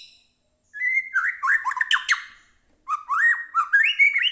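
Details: Captive white-rumped shama song used to goad another bird into singing: two long bursts of rich, varied whistles, rising slurs and harsh clicking notes separated by a brief pause.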